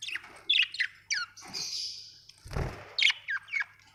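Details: Captive budgies twitter with sharp, rapid chirps and a sustained buzzy note, interrupted midway by a dull low thump, in an indoor setting.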